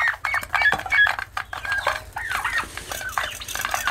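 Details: Young turkeys give a busy mix of thin piping notes and a few harsher squawky chirps, many callers overlapping, punctuated by sharp tapping and knocking sounds.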